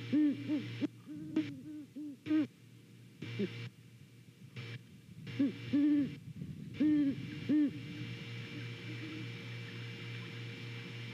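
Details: Great Horned Owl pair at a Savannah nest, filmed by a nest cam on a November morning, hooting back and forth; low rounded hoots come in clustered runs, then pause, over a constant electrical hum.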